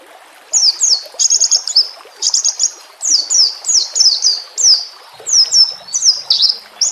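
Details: White-rumped shama song used as a training tutor for captive birds: high whistled notes, each sliding downward, given in quick bursts about every half second, over a soft background of trickling water.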